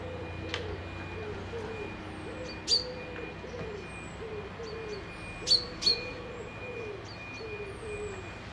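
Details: Lochside birds near Dundee, Scotland: a steady series of low, mellow cooing notes repeated in rounded phrases, overlaid with a few sharp high chirps and a faint steady tone.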